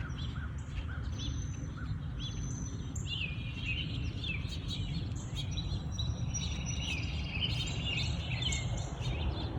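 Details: Several birds chirp and twitter at dawn in a natural habitat, with sharp high notes and clusters of fast trills over a steady low rumble.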